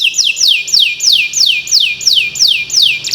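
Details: Canary in long 'gacor' song, a master recording for birds that have stopped singing. Clear, regular tour of downward-curving whistled notes, about three per second, each sweeping from shrill to lower pitch.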